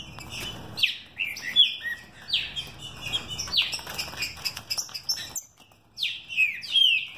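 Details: Fast, strong song of a captive-bred green-winged saltator mutation: repeated swooping whistled phrases over background hiss, a brief silence near the end, then more sliding whistles.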